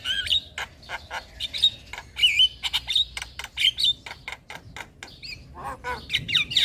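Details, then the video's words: Master recording of Javan myna song meant for young birds: a dense, continuous run of squawky chips, short whistled slurs and clicks, loud and busy throughout. "Pancingan Dan Masteran Jalak Kebo Full isian Pas Buat Jalak Kebo Muda"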